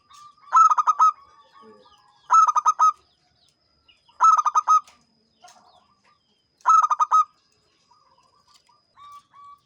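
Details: Local zebra dove, described as a champion singer in full voice: four phrases of quick, staccato cooing notes, each burst of four or five notes spaced about two seconds apart, with soft faint notes between them.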